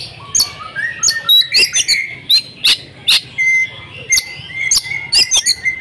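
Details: Female Oriental magpie-robin lure call meant to make silent males sing: sharp clicks and chirps mixed with thin, level whistles and a few sliding notes, delivered irregularly.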